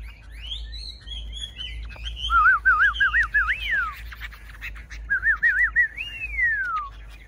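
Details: Chinese hwamei still singing fiercely in a hand-held song duel: scattered high chirps give way to two bursts of loud rippling, wavering whistles, each ending in a long falling slide, over a low steady background hum.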